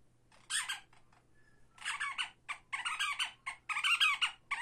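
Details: A tame pet African pygmy falcon perched on its owner's head gives harsh, shrill squealing bursts in uneven runs, about one a second, over a faint low hum.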